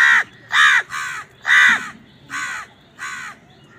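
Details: Crow cawing during a fight with wild birds for food: six loud, rasping caws roughly every half second, the later ones slightly softer, against a quiet background.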